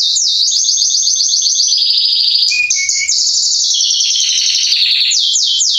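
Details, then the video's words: Singing male Belgian canary of the Salsa line, used to warm up other canaries: long rolling trills that shift pitch, a brief lower warble, then quick downswept notes. "Canário Belga Salsa macho cantando - Esquente seu canário belga em 30 minutos"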